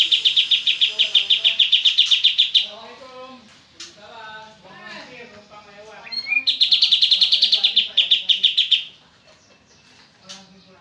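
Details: Oriental white-eye in a fast 'ngebren' song: two long bursts of rapid, high, staccato chips, the second starting with a rising whistle. Softer lower warbling notes from other birds fill the pause between bursts.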